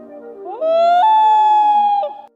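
A Common Loon gives a long, pure, mournful note that slides up and then steps higher, holding steady for about a second before breaking off. Faint music plays underneath.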